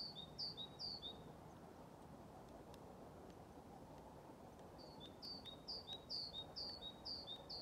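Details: Great tit singing at an elderly care home in Haga, Sweden, on 21 February 2023, with a blue tit joining in at times: bright, ringing two-note phrases, high then lower, repeated quickly in two bursts over a steady low rumble.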